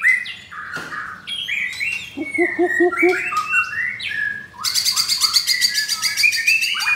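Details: Captive pied White-rumped shama, fourth generation, with coarse song material, singing back boldly on a Jakarta morning. Clear whistled phrases and a short run of low repeated notes lead into a fast, harsh, rattling series of rapid chattering notes.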